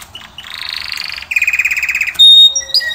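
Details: Canary song snippet: a rising buzzy trill, then a lower rolled trill, followed by a loud pure whistled note and scattered short high notes.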